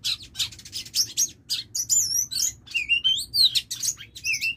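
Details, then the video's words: A female Oriental magpie-robin used as a decoy: quick clusters of sharp, high chirps, then clearer sliding whistles that dip and rise, delivered in rapid irregular bursts in a quiet room-like setting. "CHÒE THAN MÁI MỒI"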